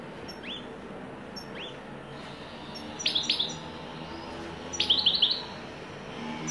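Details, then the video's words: European goldfinch in widani song style, giving sparse high upswept chirps, singly and in quick clusters, separated by pauses of one to two seconds over a low steady background hiss. "تغريد حسون ويداني"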